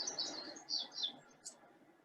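Black-headed Grosbeak singing a rich, warbled phrase of high, rolling notes, with a background murmur of room noise.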